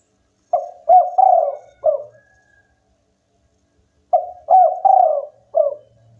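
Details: Spotted dove of a local strain singing eagerly: two four-note phrases of soft, mellow coos, short notes then a long rolling coo and a clipped final note, separated by a pause of about two seconds.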